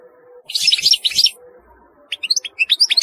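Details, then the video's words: European goldfinch singing: a dense burst of bright, twittering notes high in pitch, a pause, then a run of quick sharp tinkling chirps. "تغريد رهيب للحسون"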